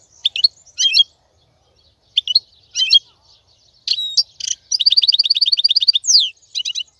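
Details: Male European goldfinch singing to teach chicks: paired twittering phrases, then a fast, evenly repeated buzzy trill, a downward-sweeping slur, and a final short twitter.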